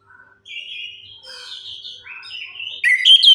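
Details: Orange-headed thrush singing a varied, sweet, warbled phrase of sliding whistles that climbs into a louder, rapid, squeaky flourish at the end, played to coax quiet birds into song.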